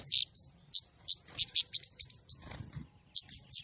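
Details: Caged-style white-rumped shama in full, clear-voiced 'gacor nembak' song: a dense run of quick high chirps, slurred whistles and harsh buzzy notes tumbling together, with faint low background rumble.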